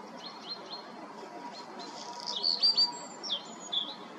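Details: Black redstart song: several spaced, high whistled opening notes, then a scratchy, crackling burst and a few closing notes, with light ambient noise throughout.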